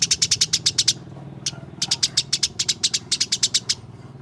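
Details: Fighting calls of house sparrows, played to get caged birds singing: long runs of fast, sharp, high chirps repeated evenly, one short break, then more chirping over a faint low hum.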